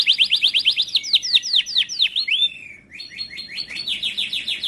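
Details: Training song of a Timbrado canary. Fast descending whistled notes lead into a single long falling slur and a short pause, then a new run of rapid sweeping notes.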